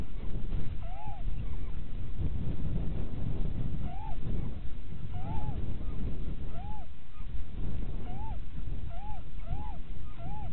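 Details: Little owl pair during pairing season in Winterswijk, January 2017, at 17:30: about nine short arched, mellow mewing notes, mid-pitched and irregularly spaced, some in quick pairs, over heavy continuous low rumbling noise.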